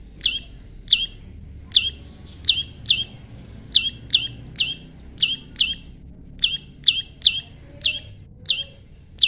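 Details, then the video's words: Tame prinia being paired naturally: sharp high chirps falling in pitch, repeated steadily, sometimes in close doubles, with a quiet low hum behind. "prenjak lumut jodohan alam/prenjak jinak/prenjak bawah/prenjak putih"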